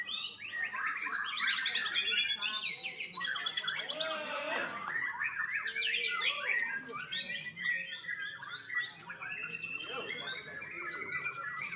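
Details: Young white-rumped shama from a bird farm in Bali, Indonesia, in a busy outburst of harsh chatters, rapid trills and scratchy notes mixed with short whistles, nearly nonstop for twelve seconds.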